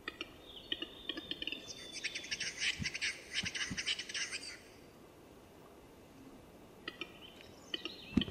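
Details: Displaying Eurasian capercaillie at a courtship lek, early 2000s film recording: a short series of dry, hissing scrapes delivered in quick succession for about three seconds, followed by quiet and a few scattered clicks.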